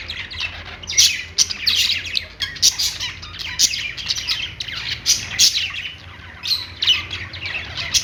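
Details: Budgerigars chirping while perched, a lively run of sharp squeaks and buzzy warbled phrases in rapid succession, a short quieter gap after six seconds, then the chatter resumes.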